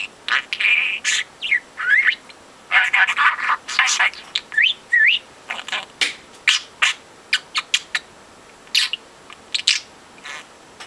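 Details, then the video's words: Young caged budgerigar, a four-month-old male that began talking at two months, chattering imitated words. Dense runs of clipped, buzzy syllables and upswept whistles tumble out in uneven bursts with brief gaps. "The Most Talkative Bird"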